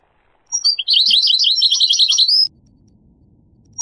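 A goldfinch gives a two-second burst of quick, bright, high twittering notes, tumbling and liquid, then a faint low rumble remains.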